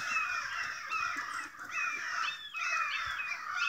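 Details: A noisy crowd of crows near a house, agitated for an unknown reason: harsh, overlapping caws with some short rising and falling notes, a brief lull in the middle before the clamour resumes.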